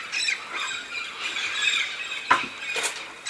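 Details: Migratory flock of red-spectacled parrots in the Santa Catarina mountains, southern Brazil, where they come for pinhão; scattered rasping squawks and grating calls at moderate distance, with a couple of sharp louder notes.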